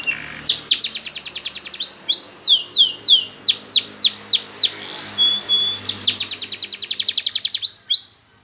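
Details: Canary singing a training song in Spanish Timbrado style: a fast bright trill of about a dozen notes, then slower repeated falling slurs roughly three per second, then the fast trill again.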